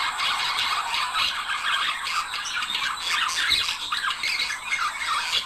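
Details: Budgerigar pair singing to stimulate breeding, a thick continuous mass of squeaks, chirps and rasping notes at steady loudness throughout.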